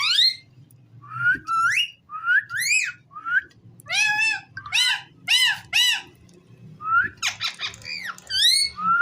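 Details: Ringneck parrot kept as a pet, voicing a busy string of rising whistles and rich, stacked chirps, some arching up then dropping, several grouped in rapid runs with short pauses between.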